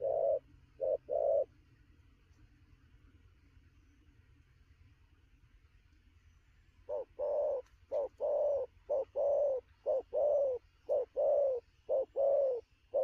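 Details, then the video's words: Freshly trapped spotted dove in rapid noon cooing. A few paired coos, several seconds of silence, then a fast unbroken run of short-long coo pairs at a brisk, even pace. "Sấm thổ gù tốc độ, 12h trưa mà bổi quá sung"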